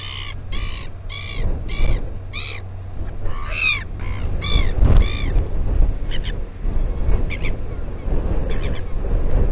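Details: Royal albatross at the Taiaroa Head colony near Dunedin, New Zealand, recorded on a live nest cam, giving hoarse, nasal honking calls, about two per second at first, then fainter and scattered, over steady heavy wind rumble.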